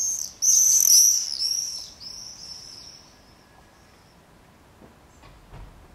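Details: Common swifts screaming in a street in Beek Ubbergen, the Netherlands, on 22 July 2012, two nesting pairs active in screaming parties: a loud burst of high, trilled screams fading away over three seconds, then quiet with faint knocks.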